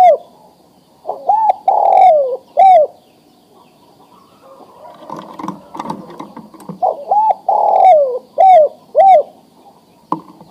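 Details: Breeding-ready male spotted dove calling for a female: two cooing phrases of quick paired notes and a long sliding coo, with a stretch of muffled rustling and knocking between them.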